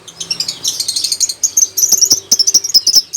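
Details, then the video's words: Lovebird settling into steady singing, giving a fast run of short, high, sharp chirps and twitters, roughly a dozen clipped notes per second toward the end, with a few dry clicks mixed in. "Burung lovebird sudah mulai mantap berkicau"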